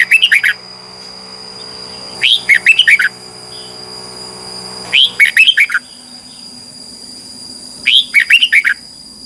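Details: Red-whiskered bulbul in competitive morning song, a lure recording for training: short, bright warbled phrases of about five slurred notes, repeated roughly every three seconds, with a steady high electronic tone and low background hum.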